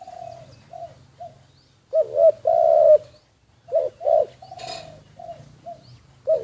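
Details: Secretly recorded decoy spotted dove cooing in a series: soft distant-sounding coos between louder phrases of a double note and drawn-out mellow coo, with a short hiss of noise midway.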